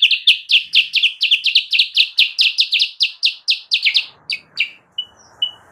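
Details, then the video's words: Sooty-headed bulbul singing as a lure for wild birds: steady, rapid series of sharp, bright chirps about five per second, tailing off into a few spaced notes and brief thin whistles over a soft hiss. "suara burung kutilang sutra gacor!!! pancingan dan pemikat burung kutilang sutra liar"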